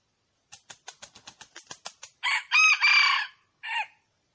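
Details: Wild junglefowl hen calling: a run of about ten quick, dry clucks over one and a half seconds, then two loud, harsh, drawn-out calls and one short closing call.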